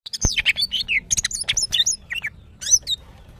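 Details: Female greater green leafbird in breeding condition, kept as a cage bird, calling to males: a quick run of sharp chirps and slurred whistles, some falling, some rising, high-pitched and closely spaced, with one loud click near the start.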